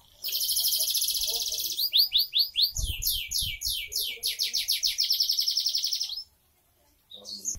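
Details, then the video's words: Canary, called kenari, in a long continuous song: a dense buzzing trill, then a series of rapid downward-sweeping notes repeated steadily for several seconds before stopping abruptly, with a few soft thumps beneath. "Kenari bocor rajin"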